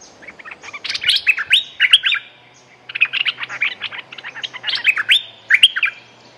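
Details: Streak-eared bulbul, a territory holder with a fierce song, giving loud bursts of bubbly, chattering notes that slur up and down, in three phrases about two seconds apart.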